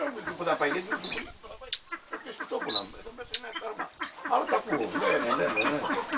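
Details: Captive-sounding pheasant gives two piercing high whistles, each rising briefly then level for roughly half a second, about a second and a half apart, with murmuring voices and rustling noise between and after.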